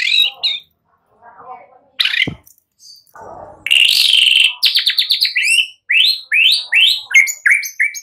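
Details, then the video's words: Lure song of white-rumped shama meant to make young birds sing fully: soft scratchy notes and a sharp snap, then a loud buzzy burst followed by a series of crisp rising whistles repeated about three per second. "Pancingan murai BAKALAN Agar ikutan NGEPLONG GACOR dengan CEPAT"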